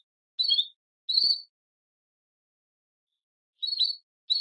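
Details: Belgian canary female calling to mate: three spaced, short chirped notes, with a long quiet gap between the second and third.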